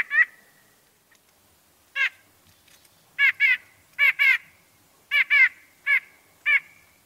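A White-breasted Nuthatch gives nasal, tooting 'yank' notes, singly or in quick pairs, about one each second, against a quiet background.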